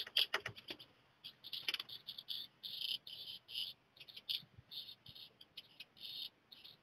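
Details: Black redstart chicks leaving the nest, several fledging within a short time: short high calls around four kilohertz-range pitch in quick bursts and repeated chirps, with faint clicks.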